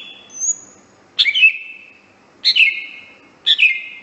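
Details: Greater green leafbird master song for training birds: a thin high whistle, then three loud similar phrases about a second apart, each a sharp descending slur settling into a sustained whistled note.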